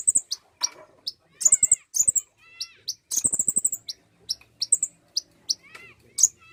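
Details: Common iora song played to coax another bird into singing. Short, very high chirps and fast trilled bursts alternate irregularly, with a few lower, fainter slurred notes between them.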